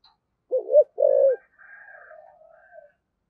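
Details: Spotted dove used as a lure bird, thổ sấm voice: a wavering double coo and one long sustained low coo, followed by faint higher drawn-out calls from other birds.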